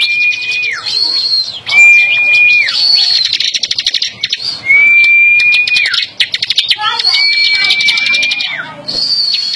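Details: A singing bar-winged prinia, held in the hand without a cage and set to compete with another bird, gives high, buzzy rattling trills alternating with a level whistle that drops at its end, the phrase repeated about every two seconds.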